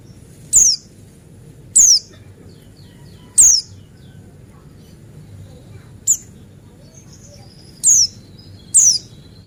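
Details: Male pleci of the Buxtoni type sung as a lure: six thin, high whistles sweeping downward, spaced one to two seconds apart, one clipped short, over faint scattered chirps and a low hum.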